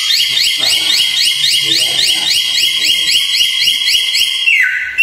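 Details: Samyong bird singing energetically, a fast run of rapid repeated high notes sliding upward, about two per second with a lower steady tone beneath, ending in a falling whistle.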